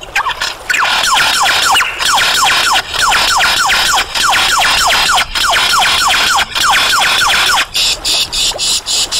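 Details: Superb lyrebird, a long-tailed mimic, in loud song: a fast run of sharp descending laser-like notes, about three per second, held for roughly seven seconds before a brief change to a buzzier phrase.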